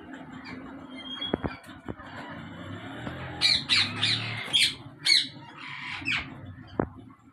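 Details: Ringnecks kept in a breeding colony in Pakistan, 2022: after a quiet stretch of room noise with a few clicks, a cluster of loud, grating squawks erupts midway, repeated irregularly for about three seconds.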